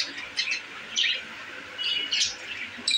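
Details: Caged budgerigars, happy in a new home cage, make short high squeaky chirps in small clusters roughly every half second to second, quite soft against a light background hiss.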